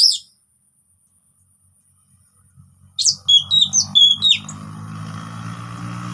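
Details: Orange-headed thrush, relaxed song to coax silent birds: one high note, silence, then a quick series of sharp chips and whistles, followed by a steady low hum.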